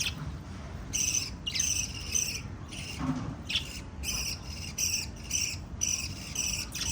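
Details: Five small lovebirds chirping, a series of rasping, buzzy bursts separated by short pauses, with a faint lower squeak partway through.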